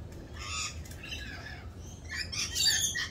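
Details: Rainbow lorikeets during their mating season dance, rasping squawks at a distance, building to a louder harsh burst near the end.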